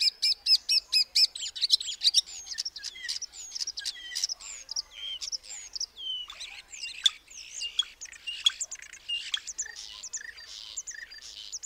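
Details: Common starling opening with a quick series of dry clicking rattles, then breaking into a varied chatter of squeaks, whistles and scratchy buzzes that continues without a break.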